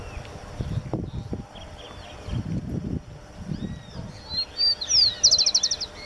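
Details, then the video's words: Rufous-collared sparrow vocalizing in a park at Turdera, Buenos Aires Province, 29 November 2017: a couple of high, clear slurred whistles ending in a rapid even trill, with a low rumbling noise and faint chirps underneath. "Chingolo (Zonotrichia capensis): VOZ"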